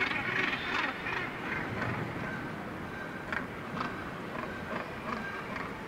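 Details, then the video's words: Northern gannets at one of the world's northernmost colonies, on the Syltefjordstauran sea cliff, Varanger, north-east Norway, give harsh, grating, overlapping calls, several bursts each second, over a steady rush of wind and surf. "Gannet colony"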